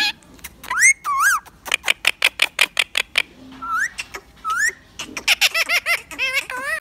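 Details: Pet rose-ringed parakeet indoors in a small room, a lively run of squawks, sharp clicks and warbled, wavering whistles sweeping up and down, with rapid repeated notes and a chattering burst near the end.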